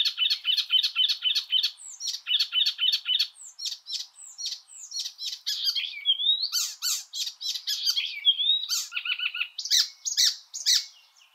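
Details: Icterine Warbler repeating short grating chatter phrases several times, then switching to whistled slurs, nasal notes and harsh buzzy bursts in a lively, varied, mimic-like sequence.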